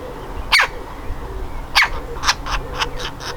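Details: Baby woodpecker ready to fledge calls from its nest hole with two strong, rough squawks followed by a run of quicker, fainter raspy notes fading away, over a low steady hum.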